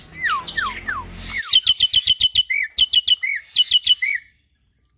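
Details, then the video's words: Hybrid starling, a cross of Nias hill myna and Asian pied starling, sung as a training recording for cage birds; falling whistled slurs give way to a fast run of sharp repeated chips alternating with rising whistled notes. "Masteran Jalak Hybrid Gacor Full Isian - Silangan Jalak Nias X Jalak Suren Gacor Parah"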